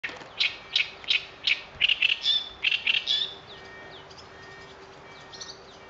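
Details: Bird song among fresh spring greenery at Lake Kawaguchi: a series of high sharp chirps, about three a second, then fading twitters, over steady low hum and background hiss.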